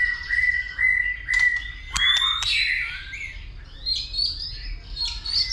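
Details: White-rumped shama giving fighting song while clicking and flicking its tail: a long level whistle, sharp clicks, then rising and falling whistled phrases, over a low steady background hum.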